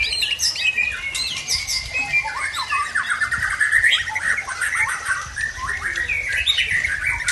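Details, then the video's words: Fierce post-moult song from an original Tangse Aceh white-rumped shama: a dense, continuous stream of rich whistled and chattering phrases, loud and varied, with no pauses. "Murai Aceh Original Tangse Ganas Pasca Mabung"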